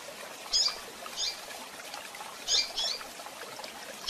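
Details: Female double-collared seedeater, recorded for handling and training, giving a few sharp, high, thin chip notes in pairs separated by pauses, against a constant noisy hiss.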